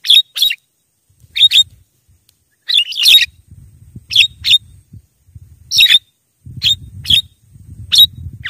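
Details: Javan myna lure call meant to draw wild mynas closer and prompt replies: harsh, buzzy, chattering bursts in short clusters about every second, separated by silent gaps, with faint low rumbling between some bursts.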